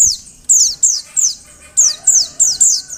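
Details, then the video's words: Female Oriental white-eye giving calls meant to make males sing; a string of high, thin, falling chirps, some single, some paired, spaced roughly every third of a second. "Suara Panggilan Burung Pleci Betina. Agar Pleci Jantan Gacor"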